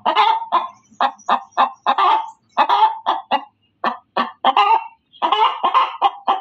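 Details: A hen gives loud, steady cackling: repeated short, hoarse clucks in quick runs with occasional longer squawks and brief pauses.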